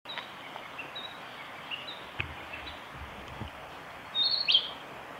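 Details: A male Narcissus flycatcher on Hyuga forest road, 25 April 2020, sings a brief, bright high whistled phrase near the end, after faint high notes, over a steady background hiss.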